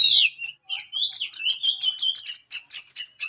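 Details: Sharp song of an Oriental magpie-robin, used to provoke rivals: a quick, even run of clipped high notes, repeated several times a second, opening with a few slurred whistles.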